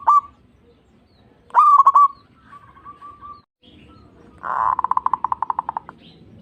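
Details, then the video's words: Zebra dove song played to stimulate other doves to sing: short clipped hoots near one pitch, a stuttered burst of four quick notes, a soft held coo, then a fast rattling series of about fifteen pulsed notes slowing toward the end. "Pancingan Perkutut Obat Manjur Pandai Bikin Nyaut Bunyi"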